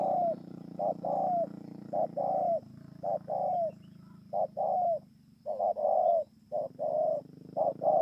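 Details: Spotted dove recorded 28 November 2017 at Bờ Y, Kon Tum, Vietnam. It gives a long series of short-long coo pairs with brief pauses, low and steady, over a faint hum.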